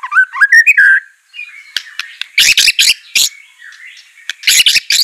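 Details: White-rumped shama song, played to prompt a reluctant bird to sing. It opens with a quick run of rising, whistled notes. After a short pause come loud, harsh, buzzy bursts and clipped chips, which recur in two clusters near the end.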